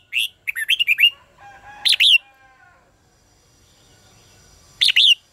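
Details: A red-whiskered bulbul sings a lively contest phrase, recorded as lure song to train birds. A rapid string of bright whistled chirps, then a short loud phrase, a faint tonal whistle, and another brief phrase near the end.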